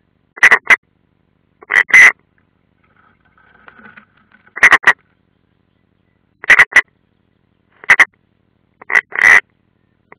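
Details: Unringed European roller at its nest, Ādaži training ground, 30 June 2016, via live nest camera: short harsh double and triple rasping notes in clusters every one to two seconds, with silence between them.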